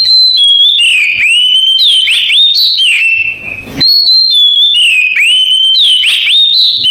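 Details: Oriental magpie-robin singing in canary style: loud, clear whistled phrases of sustained high notes with quick upward and downward slurs and brief trills, repeating with little pause and one short gap midway.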